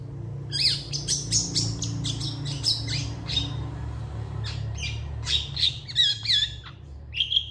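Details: Long-tailed shrike, vocal and emotional, quickly answered by other shrikes. A fast jumble of squeaky, scratchy high notes and short whistles runs almost without pause.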